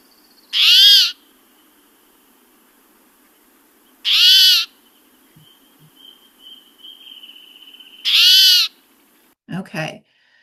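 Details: Spotted Towhee call (not song), described as rough, grumpy or cranky: a harsh, raspy, mewing call that bends up or down in pitch, given three times about every four seconds, with a brief click at the end.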